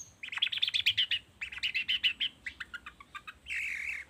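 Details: Long-tailed shrike lure song, recorded in the morning to provoke other shrikes into singing: a fast run of clipped, evenly spaced high notes that slows and fades, then a harsh buzzy burst at the end.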